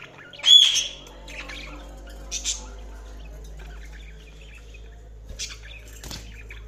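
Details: Budgie chirps come as a few isolated bursts: a loud, sharp chirp near the start, then softer scattered tweets separated by quiet pauses over a low steady hum.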